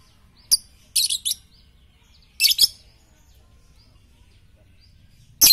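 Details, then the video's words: Lovebird training recording for morning, noon and night: short harsh, buzzy chirp bursts, a single one, then a quick cluster of three, a pair, and another at the end, separated by silence. "masteran Lovebird pagi siang dan malam paling cocok"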